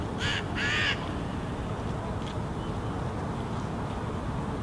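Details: Eurasian jackdaws calling while foraging alongside hooded crows in a Helsinki park, Finland, at dusk in October 2018; two harsh, raspy calls in quick succession within the first second, followed by a steady low rumble of background noise.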